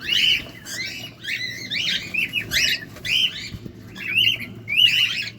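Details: Cockatiel feeding up close, producing dense clusters of shrill, harmonic chirps and squawky notes, nearly continuous with short breaks.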